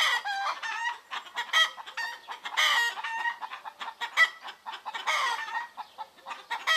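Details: Chickens calling in the Greek countryside in the morning, many birds clucking together in choppy, harmonic bursts that rise and fall in loudness almost without pause.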